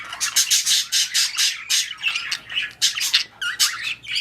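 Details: Budgerigars during mating and breeding: dense, scratchy warbling chatter in rapid bursts about every quarter second, with harsh squawks and high chirps running throughout.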